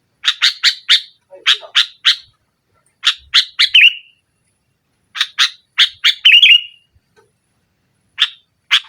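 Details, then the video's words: Vigorous nggaruda-style song of a sooty-headed bulbul, aimed at pressing rivals: clusters of three or four crisp chirps, two phrases closing in a liquid warble, then scattered single chirps. "Suara Burung Kutilang Gacor Menekan Lawan NGGARUDA, Pancingan Kutilang Mogok"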